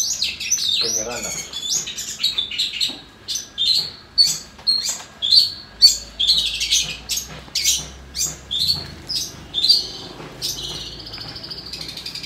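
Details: Captive long-tailed shrike (cendet) being recorded to vent breeding urge and aggression sings a fast, varied run of high, scratchy chirps and whistled notes.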